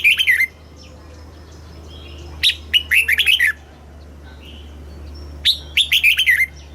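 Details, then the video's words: Red-whiskered bulbul singing a southern master-style song meant to rouse caged birds and teach young birds: three quick phrases of clear, slurred, descending notes roughly every three seconds, quieter whistles between, steady low hum underneath. "เสียงนกกรงหัวจุก สำหรับต่อ หรือ เปิดให้นกคึก เสียงเพราะๆ"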